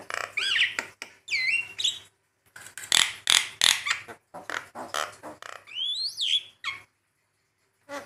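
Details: Javan myna (jalak kebo) master song for training: mix of rising whistled slurs, wavering squeals and bursts of harsh rasping chatter, a looping upward whistle near the end before a pause.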